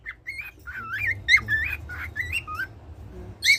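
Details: Pet cockatiel that sings every day, giving a string of warbling whistled notes that rise and dip, with a sharp higher note at the end.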